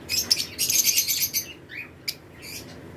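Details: Short bursts of very high, hissy chirps from lovebird pairs in an aviary colony during breeding season, with one brief rising note and scattered sharp chips.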